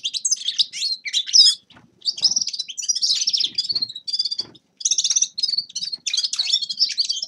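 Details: Grey-crowned goldfinch song: loud, rapid tinkling twitters and buzzy trills in phrases of about a second, broken by short gaps, with scattered soft knocks underneath.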